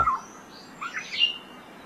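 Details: Black-naped Oriole chicks just hatched around June 10 in a nest near Jeonggwan, Gijang, Busan, beg for food with eyes not yet open: a few thin, high cheeps in quick clusters over about half a second, over soft hiss.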